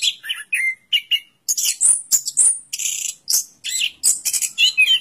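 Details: Lively orange-headed thrush song: falling whistled notes at first, then dense, sharp, high chirps and buzzy phrases delivered rapidly.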